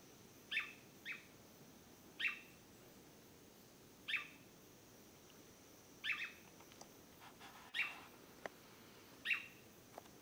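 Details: Swallow-tailed manakin at Acaraí State Park, São Francisco do Sul, Santa Catarina, Brazil, gives short, husky mid-pitched notes, single or in quick pairs, about every two seconds, over a steady high insect-like hiss.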